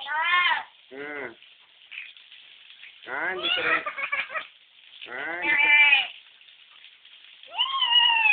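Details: Baby-like crying imitated by a lory, captured with an Android phone: five bleating, harmonic-rich cries, some short and sliding, others wavering and drawn out, separated by pauses of one to two seconds.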